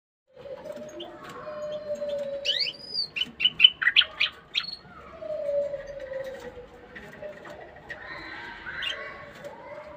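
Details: Caged bulbul singing to stimulate the female to mate: a burst of loud, sharp, high chirped and slurred notes in quick succession midway, over a steady low hum and softer scattered chirps.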